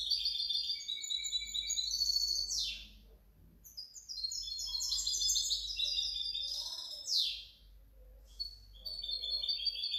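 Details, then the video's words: Owned European goldfinch hybrid, 2019–2020, in full song: lively bursts of jangling high twitters and trills, each run ending in swift descending sweeps, with short pauses between phrases and quiet background noise. "mi mixto de jilguero"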